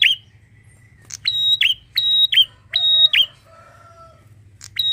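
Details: Bar-winged prinia, a garden bird, singing loudly: sharp, bright two-part phrases, each a high steady whistle ending in a buzzy downward note, repeated several times with short pauses and a few softer lower notes between.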